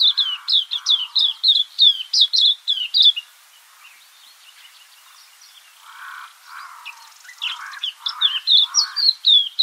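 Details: Cape white-eye in a garden: a fast string of high, thin chirps, a quiet gap with soft lower murmurs, then more sharp high chirps mixed with lower buzzy notes.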